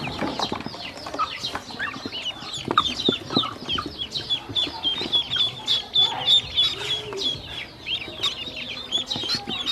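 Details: Hungry baby ducks at feeding time with drinking water nearby, many shrill peeps in quick succession, a clear run of evenly spaced high notes in the middle, background scuffling.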